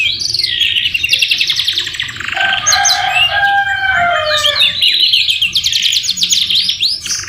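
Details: Canary tutor song with full murai batu fill: fast buzzy trills, a stretch of layered sustained whistles at lower pitch, then loud rapid trills returning high.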